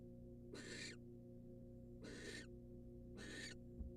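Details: Barn owl female in a wild nest box receiving a rat from her mate, uttering three coarse, hoarse screeching hisses of about half a second each, over a continuous low hum and one soft knock.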